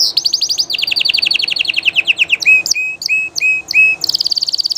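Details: Spanish Llarguet canary, a famous breed, singing live: a quick high trill, then a long run of slower descending notes, a few separate clear whistles, and a final fast buzzy roll, all loud and clean.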